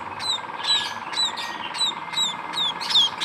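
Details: Munia chicks giving thin, high, downslurred cheeps about three per second in a steady series over a faint constant hum.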